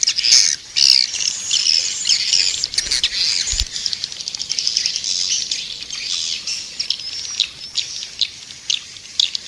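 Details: Edible-nest swiftlet lure call: a steady wash of high, thin twittering and buzzy chirps with scattered clicks, sustained almost without pause, a few louder bursts near the start.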